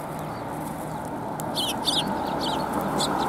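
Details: At a Tenmangu shrine on 4 January 2021, sparrows coming for food utter a run of brief, bright chirps in the second half, partly masked by a loud broadband background roar.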